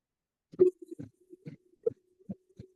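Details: Pectoral Sandpiper male display call, given while inflating its chest into a barrel-chested display on Arctic breeding grounds at Barrow: deep, hollow hooting notes, about two or three a second over a low steady hum, played back indoors.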